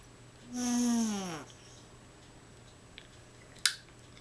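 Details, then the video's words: A male African grey parrot makes strange noises at his Christmas gift: a single nasal, groaning noise about a second long that sags lower in pitch, then later one sharp click in a quiet room. "african grey parrot making weird noises"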